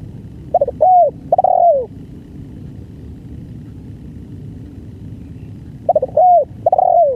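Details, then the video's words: Full, long-lasting song of a spotted dove. A burst of short clipped notes leads into smooth, mellow coos that bend downward. The phrase repeats after a gap of roughly four seconds, with a faint low rumble underneath. "BANGGO full||Durasi panjang"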